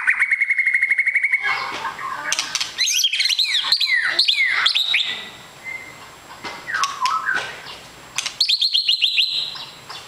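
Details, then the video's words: Long-tailed white-rumped shama kept as a fighter bird, opening with a fast repeated trill, then rich whistled slurs and sharp rattles, a quieter spell, and a final rapid buzzy trill. "MURAI BATU EKOR PANJANG SUPER FIGHTER"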